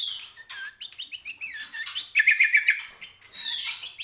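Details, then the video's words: Lively greater green leafbird song of varied liquid whistles, rising and falling phrases, then a rapid bright trill of repeated notes before further whistled slurs. "CUCAK KOMBO GACOR"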